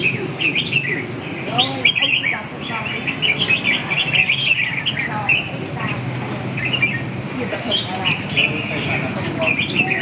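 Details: Red-whiskered bulbuls singing in a near-continuous stream of lively, chattering warbled phrases with quick rising and falling notes, several birds overlapping, against faint voices and low rumbling noise.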